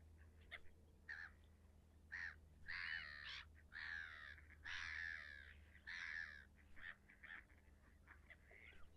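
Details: Harsh, cawing, nasal calls from a leucistic red-throated loon, given in clustered bursts with gaps, over a constant low background rumble.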